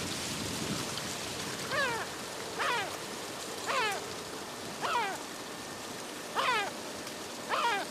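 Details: Yellow-legged gulls squabbling over a fish give strong descending yelping calls, spaced roughly a second apart, six in a row against constant hissing noise.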